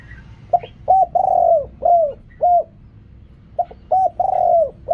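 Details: Spotted dove singing riak kham, khu kham and ok rong style songs. Quick stuttering notes are followed by a long downward coo and several short arched coos, then the sequence repeats.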